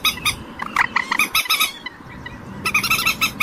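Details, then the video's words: Common moorhen giving short, harsh, clucking notes in quick bursts, then a pause and a steady rapid series of evenly spaced nasal notes toward the end. "ডুংকোর পাখির অরিজিনাল ডাক / ডুংখোর পাখির ডাক / জল মুরগী পাখির ডাক / Common Moorhen bird call"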